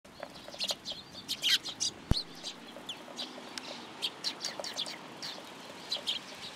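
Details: Sparrows gathering to be fed at a Tenmangu shrine on 10 July 2022: scattered short, high chirps from several birds with quiet gaps, plus one sharp click near the middle.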